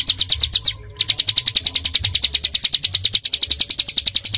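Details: Small songbird singing dense tembakan-style song, recorded as tutor material for pet birds: a fast, even string of sharp, high piercing notes, about three or four per second, with one brief break near the start.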